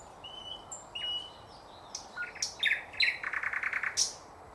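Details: Thrush nightingale singing in 2024: scattered whistles and sharp accents give way to a fast, buzzy rattle of closely packed notes, ending with a bright high note.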